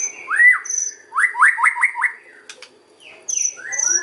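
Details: Lure song of a white-rumped shama, kretekan style: a rising-falling whistle, then four quick repeated arched whistles, sharp clicks, and high thin notes returning after a short gap.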